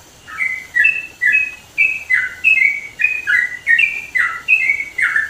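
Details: In East Java's mountain country, a sooty-headed bulbul delivers a loud, chatty song: a steady run of clear, fluting whistles, each note sliding between higher and lower pitch, about a dozen notes in five seconds.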